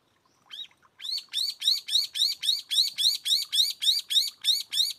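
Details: Brown-eared bulbul at a backyard bird feeder during a day of calling, bathing and feeding: a fast, even run of about fourteen sharp, strident notes, each rising then dropping, repeated several times a second after a short lead-in note.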